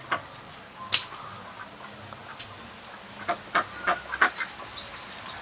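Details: Juvenile mallard ducks making sparse calls: a sharp loud note early, low murmuring, then a burst of short quacks close together toward the end.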